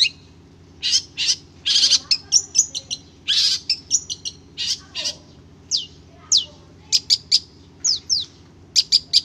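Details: Madura long-tailed shrike, a trained cage songbird, delivering bursts of buzzy chatter mixed with thin high whistles and short chips, separated by brief pauses; a faint low hum lies beneath.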